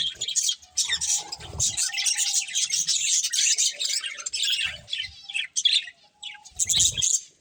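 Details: Colourful pet budgerigars eating and chirping: bursts of busy, buzzy high chatter and tweets, pausing briefly twice, with dull low thuds between phrases.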